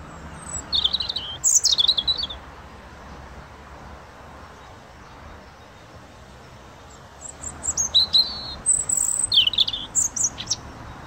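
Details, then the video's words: A European robin sings two bursts of thin, high, tumbling warbled phrases with sweet trills, separated by a few seconds of quiet, over faint outdoor hum. "Robin singing"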